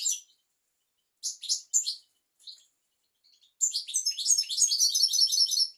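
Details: European goldfinch song for teaching young goldfinches and canaries: scattered short bright twitters at first, then a dense, rapid jumble of high tinkling, buzzy and chattering notes.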